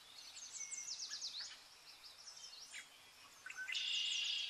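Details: Zebra finches, shown as entertainment for cats. Quick high, thin chirps and short down-slurred notes come in busy runs, ending in a loud, sustained buzzy note near the close. Other chirping birds are mixed in.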